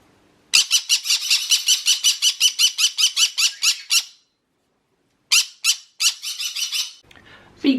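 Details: Captive pet green-cheeked conure alarm calling indoors, here for attention rather than fear: a rapid run of harsh, raspy squawks about three per second for four seconds, a pause, then another burst of similar harsh notes.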